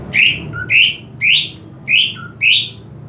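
Greater green leafbird giving five bright, rising whistled phrases about every half second, with soft lower chips between them over a faint background hum.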